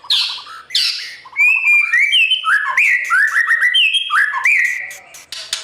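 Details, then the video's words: White-rumped shama's morning training song for a young competition bird. Low rattled notes open, then a run of clear rising and falling whistles and downslurs, varied and loud, with soft clicking notes above. "Chòe lửa hót sáng luyện giọng cho bổi hót đấu căng lửa , chòe lửa luyện giọng"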